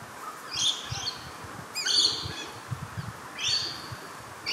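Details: A red-browed finch at Carnarvon Gorge, Queensland, Australia, at 6 pm on 20 July 2019, gives high, thin, piercing notes in three short bursts about a second apart, over a soft low background rumble.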